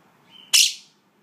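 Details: Sassy, a pet female monk (Quaker) parakeet that talks, gives a brief thin whistle, then a loud, harsh, raspy squawk that quickly fades.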